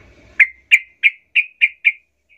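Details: Sooty-headed bulbul provocation call: six clean, ringing chirps in an even series about a third of a second apart, fading slightly toward the end, with nearly silent surroundings.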